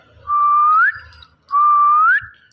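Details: Talking pet Indian ringneck parakeet producing two clear, pure whistles, each held level and then sweeping upward at the end, separated by about a second of near silence.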